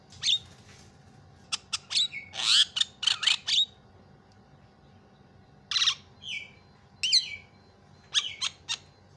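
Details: Energetic Javan myna song meant to set other mynas singing: scattered harsh, squawking bursts and sharp ticks with short pauses between groups, some notes sliding downward, over a quiet low hum.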